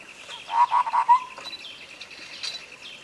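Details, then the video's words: Sooty-headed bulbul tutor phrase for prompting a bird to sing: a tight cluster of four warbled notes trailing into a long soft whistle, accompanied by a regular pulsing high buzz. "masteran cak kopi suara jernih untuk pancingan macet bunyi"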